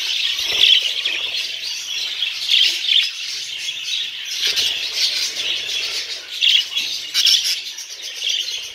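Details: Young Texas-mutation budgerigars in a breeding setup chatter busily, a steady stream of high warbles, chirps and scratchy squawks, presented as mating or courtship-stimulating sound.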